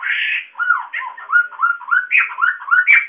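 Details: White-crested laughingthrush, a loud, very vocal bird with many voices that sings hardest when cheered on, giving a busy run of varied whistled and slurred phrases, rising and falling and repeated about once a second, ending in a harsher note.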